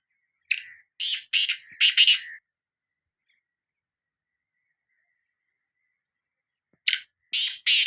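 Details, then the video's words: Sindhi black francolin calling: a harsh, rasping phrase of four grating notes, a long silent pause, then three more scratchy notes, all high and broadband, with no other sounds. "Kala Teetar Voice | Black Frankoline Voice کالا تیتر کی آواز"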